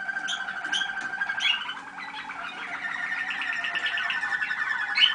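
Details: Listening session of 25 November 2010 with young Waterslager (Malinois) canaries bred in 2010: a softer, fairly even rolling trill with a few clipped high notes at the start and a gently pulsing middle passage.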